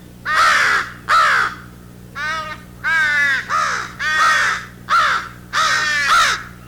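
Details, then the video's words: Two young American crows fly in and beg for food with nasal versions of adult calls: a series of seven harsh, nasal caws, each about half a second long, spaced roughly every 0.7 seconds, some with wavering rising-falling tones. "but begin vocalizing when two young crows fly in and beg for food with nasal versions of the adult calls."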